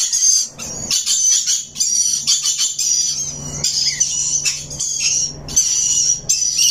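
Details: Rainbow lorikeet giving near-continuous shrill, high chirps and squeaky chatter in rapid overlapping bursts, with a faint low hum underneath.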